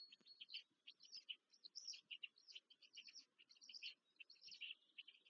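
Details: At a nest in Łódź, Poland, black stork young beg while being fed, 14 May 2023. Rapid high squeaky notes come in uneven bursts and tumble over one another, with soft low bumping beneath.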